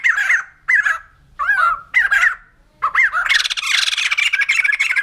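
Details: White-crested laughingthrush uttering four spaced, slurred whistled phrases with harsh edges, then launching into a dense, loud, rattling chatter with quick repeated pulses.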